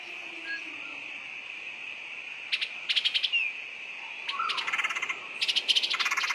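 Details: Woodpecker call played as a lure: rapid, uneven series of dry rattling pulses in several bursts, rising in loudness toward the end, over a steady shrill background hum.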